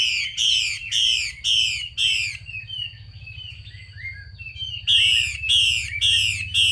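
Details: Female Chinese hwamei calling to stimulate males to sing: loud, rapid buzzy downslurred notes in bursts, about two per second, a pause with softer warbling, then the burst series resumes, over a steady low hum.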